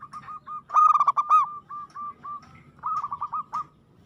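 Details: Local zebra dove singing aggressively: a loud, rapid, ringing cluster of coos, then spaced single notes and a quicker closing run.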